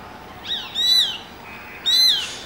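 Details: Juvenile Shikra calling from atop a neem tree, recorded under 10 feet away: high, thin, slightly falling whistled calls, one faint then two louder about a second apart, over a quiet background.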